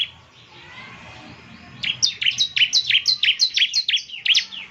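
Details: Bar-winged prinia song played to get a caged bird singing: after a quiet start, a fast run of bright, downslurred high chirps repeated evenly about three per second.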